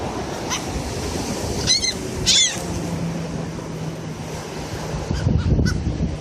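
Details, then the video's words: Seagulls being fed at Destin in November 2013, giving two short, harsh, ringing calls near the two-second mark over steady surf, wind rumble and a low hum. "Feeding seagulls at Destin 2013"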